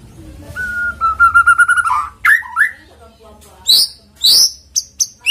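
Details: White-rumped shama song used as a lure to get a bird singing quickly: a long steady whistled note with a faint buzzy edge, then scattered sharp high chirps and short rising whistles with gaps between them.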